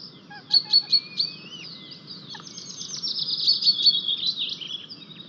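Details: White-tailed eagles at their nest in Estonia on 4 May 2023, with a newly hatched chick as a fish is brought in, filmed by a live nest camera; short bursts of high, sharp, repeated yelping notes, then a longer rising run of chattering calls.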